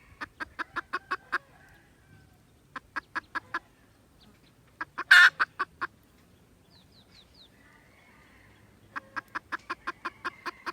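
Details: Red junglefowl, 16 December 2021: short bursts of quick clucks separated by quiet gaps, with one loud harsh note in the middle and faint high chirps in the background.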